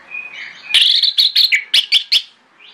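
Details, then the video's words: Orange-headed thrush singing in the morning, used as a lure to draw other thrushes into answering: a rapid run of loud, varied whistled and chattering notes with about six sharp bursts in quick succession, preceded by a soft thin whistle. "PANCINGAN ANIS MERAH PAGI HARI|| ANIS MERAH LAIN AUTO NYAUT"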